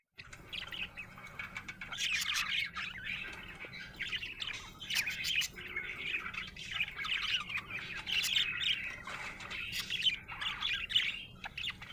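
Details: A happy budgerigar chirps almost without pause, a busy stream of high, scratchy warbles and twittering notes with a faint steady hum underneath.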